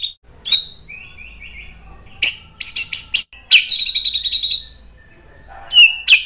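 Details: A white-rumped shama sings excitedly to provoke other males: separate bursts of sharp high notes, a softer twittering run, and a ringing descending trill, with short gaps between phrases.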